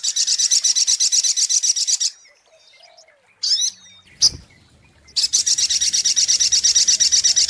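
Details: Sunbird song used as a lure: fast, high, sizzling pulsed trills for two seconds, a pause with a few scattered squeaky notes and a click, then the rapid trill resumes.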